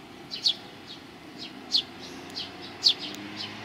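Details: Flock of sparrows coming to be fed at the front approach of a Tenmangu shrine, 29 May 2020: sharp, high chirps falling slightly in pitch, three loud ones among softer calls, about one per second.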